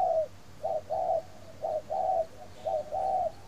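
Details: Spotted dove in Ba Vì, Hanoi, Vietnam, cooing in the morning: clean low coos in paired rhythm, a short note followed by a longer drawn-out one, repeated three times at roughly one-second spacing over quiet hum.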